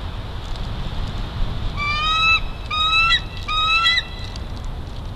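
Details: Juvenile bald eagle stealing lunch at Big Bear Valley on 5 December 2022: three drawn-out, level whistled squeals in quick succession, each rich and slightly rising at the end, over a steady low outdoor rumble.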